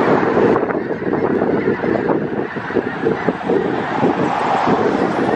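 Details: Around 5000 Snow Geese gathered in winter in south Grayson County, Texas, February 2018: a dense, continuous roar of countless overlapping nasal honks, loud and unbroken, with faint low wind rumble beneath.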